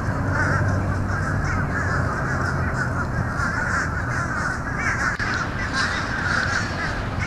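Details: A noisy gathering of fish crows: dense, overlapping, slightly nasal caws form a constant raucous backdrop, with one sharp click midway.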